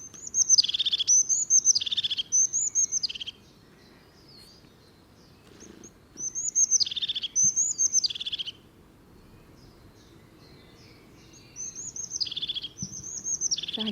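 A crested tit gives bursts of thin, high notes that roll into a quick purring trill, repeated about every five seconds over a soft low rumble.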